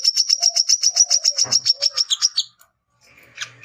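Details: High, rapid, rhythmic chattering from a male brown-throated sunbird challenging rivals, lasting over two seconds before a brief silence and a few scratchy notes; soft low whistles underneath.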